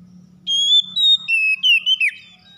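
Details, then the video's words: Oriental magpie-robin phrase, offered as a trigger for a lazy bird to start singing: a long, level, high whistle followed by a run of shorter whistled notes that drop in a final downward slide. A faint low hum is present. "KACER SUSAH MALAS BUNYI TERPANCING CEPAT GACOR"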